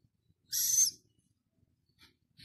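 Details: Six-day-old Philippine scops owl chick in a zoo: one short, raspy, hissing call lasting about half a second, then near silence with faint soft rustles.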